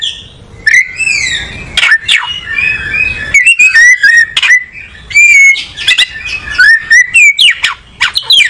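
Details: Kacer, or oriental magpie-robin, in animated song: descending whistled slides, crisp clicks and fast varied whistled phrases repeated in quick succession.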